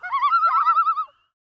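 A Common Loon gives its laughing tremolo: a quick, quavering run of about ten wavering notes lasting one second, mid-pitched and clear. No other sounds.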